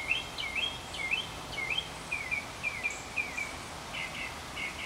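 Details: Mockingbird (Northern) singing steadily near a porch during a long session of at least thirty minutes; a series of quick slurred chirps repeated in runs, then a shift to a different buzzier note type, with soft breeze.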